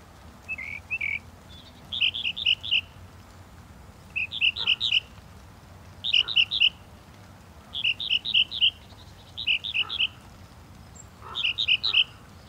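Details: Repeated song phrases from a Northern mockingbird: short groups of about five bright, quick notes, sounding roughly every one and a half to two seconds, over a quiet background.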